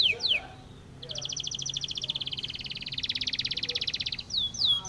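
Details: Spanish timbrado canary singing a training song: after brief sweeping notes, a fast, even metallic trill of rapid pulses holds for about three seconds, then short descending sweeps return; faint low background hum.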